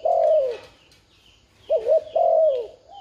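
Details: Spotted dove decoy calling to lure wild doves. A long, smooth, falling coo is followed after a pause by a wavering note and another drawn-out coo, with faint background chirps.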